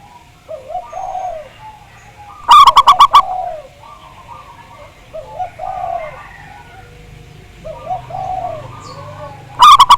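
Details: Zebra dove of the local Javanese type, used to lure others into song: one loud burst of rapid, ringing repeated notes, then many soft, low, wavering coos, and a new burst starting at the end.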